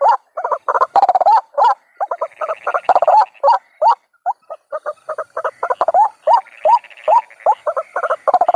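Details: White-breasted waterhen sounds from a trapping lure: a dense, irregular jumble of short rising croaks and clustered stuttering notes, apparently overlapping callers, with brief pauses.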